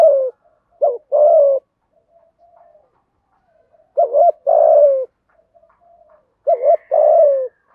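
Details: Spotted dove giving thúc gù cooing in the giọng thổ voice, said to draw birds quickly to the decoy spot: three phrases, each a short doubled note then a long, slightly falling coo, about every three seconds, with soft murmurs between.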